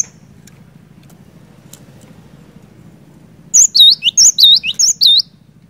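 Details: Cinereous tit song, played to prompt a quiet bird to sing: after a few seconds of low humming background, a quick run of sharp high whistles and looping slurred notes repeats for about a second and a half.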